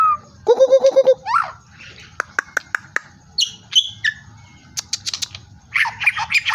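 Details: White-rumped shama singing actively, a varied song of whistled notes, a steady harmonic note held for about half a second, sharp click-like strokes and short rising and falling phrases, over a low steady background rumble.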